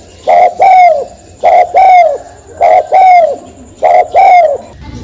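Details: Spotted dove cooing in four evenly spaced pairs, each a short note followed by a drawn-out falling coo, repeated every second or so, with a faint high steady tone behind.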